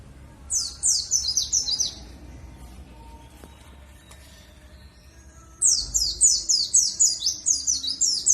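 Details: Dakun warbling white-eye from Bondowoso, East Java, giving a luring song to draw others into singing: two bursts of fast, very high, downward-swept chips, each about a second and a half to three seconds long, separated by quiet.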